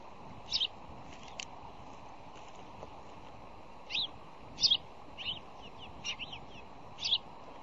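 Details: Bald eagle at its nest at the Decorah, Iowa fish hatchery, February morning 2010, recorded by nest camera while birds dig the nest bowl; a series of high, thin chittering notes in short bursts over low outdoor noise.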